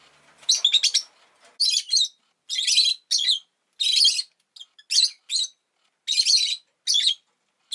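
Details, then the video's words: Rosy-faced lovebird at home, egg newly laid, chattering in a rapid run of raspy, high chirps, about ten short bursts in eight seconds, some doubled. "Lovebird Chirping Sounds"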